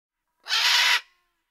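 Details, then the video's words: A single harsh, raspy macaw screech, about half a second long and loud, with no other sounds around it. "Macaw Various Versions 7 | Birds Sound"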